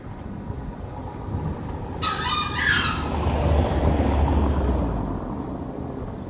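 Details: A single rough, broadband Green junglefowl crow lasting under a second amid steady low background rumble.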